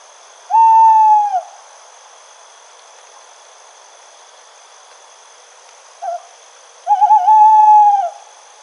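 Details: Nocturnal owl at night in the wild: drawn-out, slightly wavering hoots, one long note then a short one and another long note, over constant high-pitched insect trilling.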